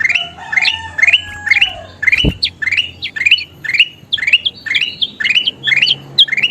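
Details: Kutilang emas bulbul singing as a training master: repeated clipped chirps roughly twice a second, each with a quick upward flick, one sharp click partway through, and a soft lower whistle early on.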